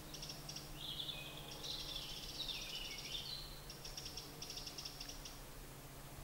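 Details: Red-breasted flycatcher in the Moravian-Silesian Beskids on 11 May 2015, giving high, dry rattling calls that bracket a thin, sweeping phrase in the middle, over a faint low hum.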